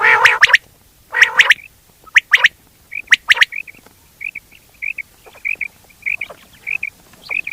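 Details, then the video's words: Common quail with grating bursts and sharp clipped notes, followed by a steady series of short soft whistled notes about twice per second. "quail hoting batrea sound"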